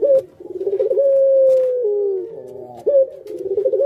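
A spotted dove gives low, burbling coos that run into a long, steady hooting note, then step lower before the rolling coo starts again. The sound is close and slightly roomy.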